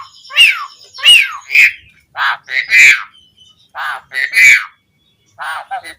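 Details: Asian pied starling sounds from a lure recording intended to make other starlings reply: loud, rough, croaking notes with falling whistled edges, given irregularly with short silent gaps between them.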